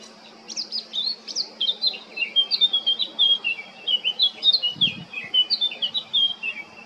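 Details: A male blackcap in Baška on Krk, Croatia, 20 July 2022, pours out a long, rich warbling phrase of quick, high, fluty notes, with a brief dull thump partway through.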